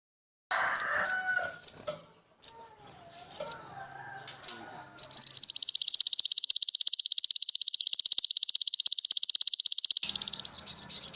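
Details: Master recording of sogon song for caged-bird training: scattered sharp high chirps and a few lower whistled tones, then a sustained, fast, buzzy trill of even pulses, closing with a burst of twittering.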